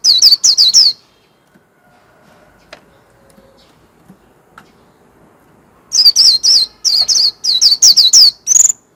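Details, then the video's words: Warbling white-eye giving líu-style song: a one-second burst of high, sharp, rapidly repeated chirps, then a long near-silent pause, then a longer run of the same piercing notes ending in a brief high trill. "Chim vành khuyên líu hót - Tiếng chim vành khuyên"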